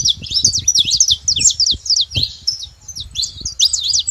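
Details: Saffron finch chirping at a feeding spot: quick high chirps and twitters in close clusters with a short lull in the middle, accompanied by low tapping or pecking-like sounds.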